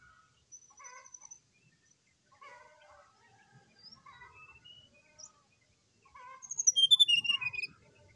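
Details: Morning song of an agitated brown-chested jungle flycatcher, used as a lure for other birds: quiet scattered twitters for several seconds, then a loud rapid cascade of high whistles tumbling downward near the end.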